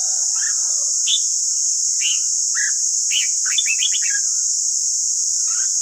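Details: Red-whiskered bulbul song meant for voice training of caged birds: a series of clear, quick whistled phrases, some rapid trilled clusters near the middle, with a constant high-pitched hiss behind.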